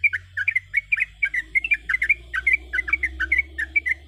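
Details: Calling female sooty-headed bulbul, a lure sound for the male: a brisk, evenly spaced chatter of short warbled notes over a steady low hum.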